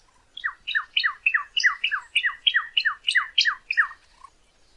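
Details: Cardinal song recording meant to train captive birds: a steady series of about twelve clear whistles, each a swift falling slur. They repeat roughly three times per second at even volume against near silence.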